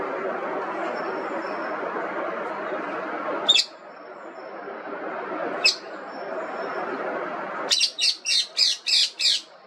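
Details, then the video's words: An Indian ringneck parrot gives two isolated sharp squawks a couple of seconds apart, then a fast regular run of six harsh screeching notes, all over a broad steady hiss. "Indian Ringneck Parrot Voice Raw, Real & Relaxing"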